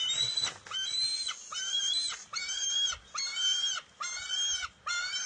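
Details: Bald eagle eaglet at its nest on June 23, 2021, refusing to share a fish its mother grabbed, then stealing it back: loud, harmonic, whining squeals repeated about once a second with short gaps between them.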